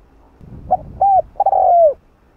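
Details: Spotted dove cooing in the hạp bổi voice style, played to stimulate other doves to coo; one phrase of two short clipped notes followed by a longer, drawn-out descending coo, clean and close.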